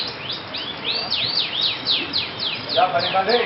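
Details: Yellow domestic canary, a new debut contest bird, singing at a songbird contest: a fast series of loud, high, sweeping downslurred notes, about four a second. A man's speech comes in near the end.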